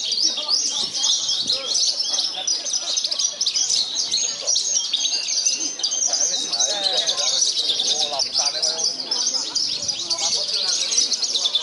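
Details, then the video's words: Javan bush lark in a singing contest in Purworejo, a first-place winner despite strong wind, pours out a continuous, high, rapid twittering song full of chirps and trills, steady and loud throughout. "BRANJANGAN PARVA "CANON" HARUMKAN KOBRA PURWOREJO"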